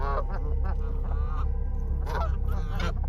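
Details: Flock of wild Canada geese in Canada running toward a standing person, spreading their wings and honking loudly; harsh, stacked honks repeat rapidly, several birds overlapping, over a steady low rumble.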